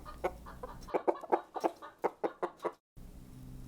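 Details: Chicken clucking: a rapid series of short, low clucks, roughly one every quarter second, then a brief silence and faint background hum.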